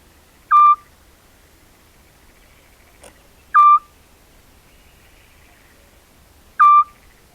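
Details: Eurasian scops owl at night in spring, a migrant to the Corte Franca countryside, recorded by camera trap: three short, clear whistled 'tyoo' notes, one every three seconds, steady in pitch, with a faint click between them, otherwise quiet.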